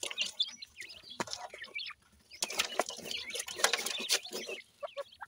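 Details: Teetar partridge chicks being fed, Pakistan: scattered high peeping chirps, with a busy stretch of clicks and wing flutters in the middle and a brief near-silent gap.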